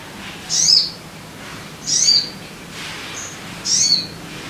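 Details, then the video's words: Sogon bird used as a lure for caged birds: three short, bright, high chirps spaced about one and a half seconds apart against a soft background hiss. "Pancingan Suara Burung Sogon Biar Cepat Gacor"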